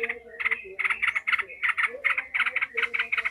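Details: Agitated yellow-vented bulbul giving its emotional ngekek chatter, meant to steel other bulbuls for fighting: grouped bursts of rasping, stuttered notes in quick clusters, over a steady low tonal background.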